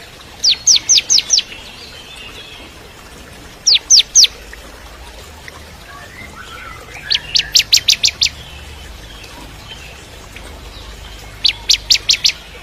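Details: Bar-winged prinia of the crystal type sings four separate short bursts of piercing high chips, four to six notes each, with quiet gaps between. It is kept for training magpie-robins to sing.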